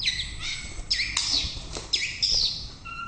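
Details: Morning song of a white-rumped shama, a run of loud, clear whistles with swooping upward and downward slurs and sharp accented notes, steady low hum beneath.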